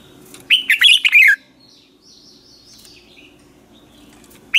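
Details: A morning 'ché' training song from a red-whiskered bulbul used as a decoy singer: one quick cluster of sharp, sliding chirps, then softer distant twitters and a last note at the end.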